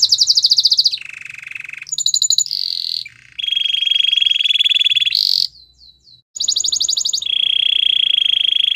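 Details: White canary singing a training song: a fast high trill, then a lower buzzy roll, further rolling and steady trills at changing pitches, a brief silent break, then more high pulsed rolls and a long steady trill.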